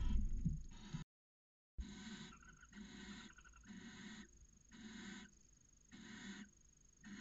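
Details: Barn owl pair copulating inside a nest box in Cabañeros National Park, early in the breeding season from late January; a run of harsh, hissing, broadband bursts repeated roughly every second, with soft thumps from the box.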